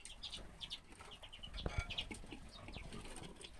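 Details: Common redpolls, recorded in 2016, give quick, dry, high chips and twitters scattered throughout, over a low rumble with a brief fluttering thump midway.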